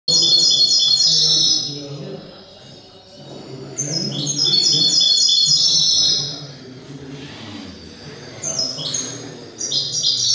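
A goldfinch hybrid sings three bursts of bright, high, liquid twittering with tinkling trills, separated by short pauses, over a faint low background murmur.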